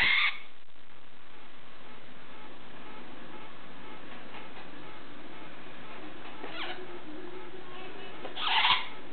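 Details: A severe macaw after bath time with an oatmeal snack gives two harsh, raspy squawks, one at the start and one near the end, with quiet room sounds between.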